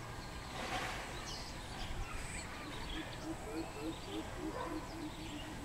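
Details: Greater coucal recorded 13 June 2020: after a few seconds of background noise, a quick run of low, hollow hooting notes rolls on for about two seconds. A few higher notes are mixed in, over steady hiss.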